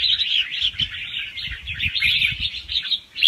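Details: Young red-whiskered bulbul from the wild singing gently in rapid cycles with doubled notes, used to stimulate other birds. Continuous, rippling whistled chatter, with soft low knocking sounds underneath.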